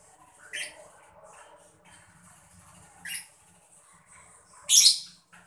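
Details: Mocca lovebird gemericik chatter, used to get other birds singing; three sharp, scratchy chirps spaced a few seconds apart, the last loudest and harshest, with faint high twittering in between.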